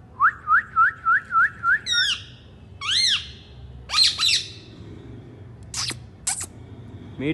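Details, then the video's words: Pet rose-ringed parakeet indoors: a run of six rising squeaky chirps, then harsher squawks and screechy notes, with a person saying "mithu" nearby. "parrot sound good talking"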